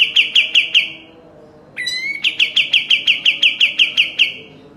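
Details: Sooty-headed bulbul in vigorous song, used as a training recording for caged birds: a short burst of four rapid sharp notes, a pause, then an upswept note opening a fast, even string of about thirteen clipped chirps.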